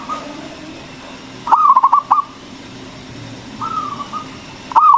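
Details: Loud local zebra dove singing to rouse other doves. Two bursts of rapid, clipped cooing notes with a fainter drawn-out whistled note between them, over a low steady hum.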